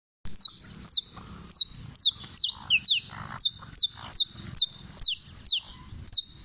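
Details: Champion canario criollo (saffron finch) from Turbo, Antioquia, singing a run of sharp, high, downward-slurred notes about twice a second with short gaps, steady and bright, with faint low background rumble.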